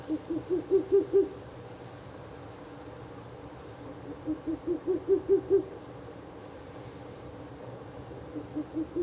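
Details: Ural owl calling at night by a nest box on 16 April 2024, the third night of nest visits: quick runs of seven or eight short, low, soft hoots, slightly rising and accelerating, repeated after pauses; otherwise quiet night background.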